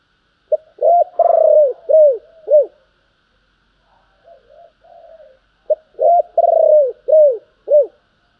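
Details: Spotted dove in urging and calling coo: rapid strings of loud, arched coos, one long note in each string, separated by a stretch of quiet, soft cooing.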